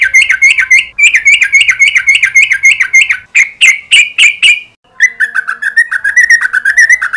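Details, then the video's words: Sooty-headed bulbul lure song meant to prompt long rolling song in the morning: fast, bubbly, bright mid-pitched chirping phrases, about four notes a second, with a brief pause before a lower rolling run. "Suara pancingan crucukan agar bunyi ropel panjang di pagi hari"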